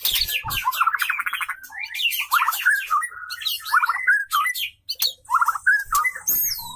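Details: Female white-rumped shama in courtship, her voice used to make males sing and fight; rich buzzy trills alternating with sweet whistled slurs, repeated phrase after phrase, a short pause near the end.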